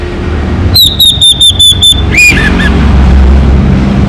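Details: Orange-headed thrush, local type, singing loudly to prompt silent birds to sing: a rapid series of five or six high sharp whistled notes, then slurred lower whistles, against constant low rumble.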